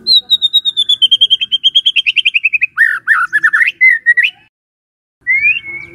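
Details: Morning song of a White-rumped shama, used to prompt a quiet shama into singing: a long string of quick repeated notes gliding slowly downward, then loud warbled slurs and a brief rising whistle after a gap.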